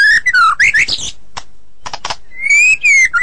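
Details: White-rumped shama song for training caged songbirds: falling whistles and buzzy notes, a few dry clicks after a pause, then a long steady whistle ending in quick notes.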